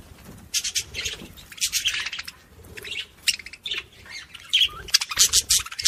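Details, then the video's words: Budgie song meant to encourage other budgies: bursts of scratchy high chatter and squeaks, broken by short pauses, growing busier and louder toward the end. "صوت بادجي لتحفيز طيور البادجي العاشق والمعشوق"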